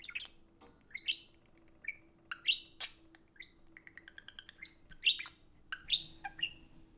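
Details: Two pet budgerigars socializing over an iPhone: lively chatter of short, sharp rising chirps and quick warbled notes, with a brief run of soft rapid ticking in the middle and a faint steady hum underneath.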